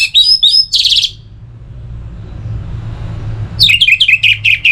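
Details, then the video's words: Orange-headed thrush song for stimulating singing: fast bubbling strings of short slurred whistles open the phrase, a quiet gap with low hum follows, then a second run of quick, rhythmic repeated notes. "Pemancing Burung ANIS MERAH Agar Selalu Gacor"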